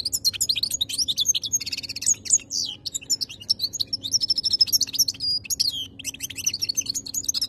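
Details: Caged European goldfinch from Algeria in continuous song, a rapid jumble of high liquid twitters, trills and buzzy notes, with a faint low hum behind.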